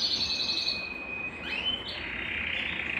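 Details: Belgian canary song played to warm up a cold canary: a long steady whistled tone, then a rising sweep into bright high trills, with faint background hiss.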